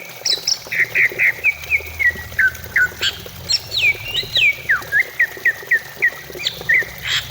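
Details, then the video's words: Greater green leafbird song used to lure a caged bird into singing: quick series of short whistled notes near mid-high pitch, many sliding or hooked, a few higher downslurred phrases, repeated about four times a second, with steady low background hum. "Pancingan cucak ijo supaya cepat bunyi"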